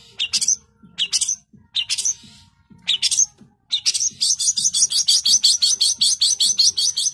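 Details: Long-tailed shrike in full song: several spaced harsh high bursts, then a fast, unbroken run of rapid scratchy notes repeated many times per second to the end.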